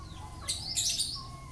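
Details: Yellow-eyed Javan myna that imitates human speech, coughing and greetings; a short bright high chirp of two bursts, then faint tones, with a low hum behind.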